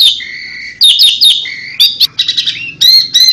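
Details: Asian pied starling delivering tembakan, a song said to make any bird come close: long steady whistles, a few sharp swooping notes, then chattering bursts and short bright whistles.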